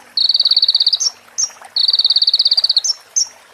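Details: Sunbird song for training other birds, with female prinia and ciblek parts added: two rapid buzzy trills of many evenly spaced high notes, each followed by sharp rising chips.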